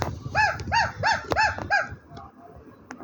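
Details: Talking parrot giving five nasal, arched calls in a steady row about every third of a second, then quieter sounds and low background rumble.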